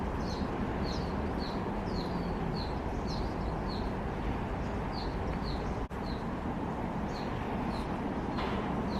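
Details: A Grey-headed canary-flycatcher in Hong Kong on 22/12/2020 gives short, high, sharp chip notes about twice a second, with a brief pause, over a steady low rumble of traffic or wind.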